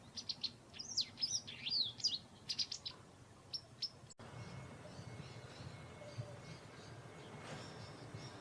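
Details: White wagtails in a garden in autumn, with territorial fights intensifying: about three seconds of rapid, high chirping in tight bursts, then a sudden cut to quiet background hum with a faint steady tone.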